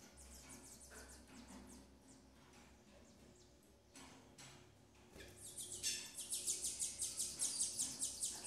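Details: Double-collared seedeater: a female feeding her chicks. Rapid, high, thin chips repeat for the first half, then a louder, rhythmic run of sharp high notes of about two per second builds over the final three seconds.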